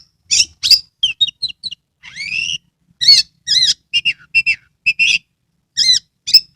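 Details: Caged Oriental magpie-robin, tail spread, singing in Kebumen, Central Java, as a lure for reluctant birds. Mixed loud phrases: harsh chips, a rising buzzy whistle, then rapid repeated arched whistles and double notes.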